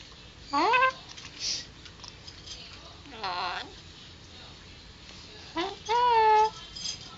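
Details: Indoor recording of a three-year-old male Alexandrine parrot kept as a pet, saying words like "what ya doing." Three to four harmonic, voice-like phrases, some rising, some wavering, separated by quiet pauses.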